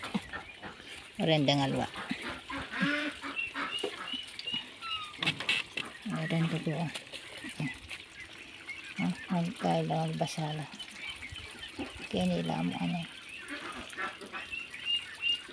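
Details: Ducks kept for sale call in repeated clusters of low, nasal honking quacks, several bursts spread through the recording, mixed with people's voices and laughter close by.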